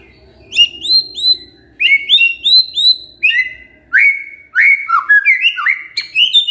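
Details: Shama lure song to trigger a silent male: clear high whistled notes in paired phrases, followed by lower swooping whistles and quick rising slurs.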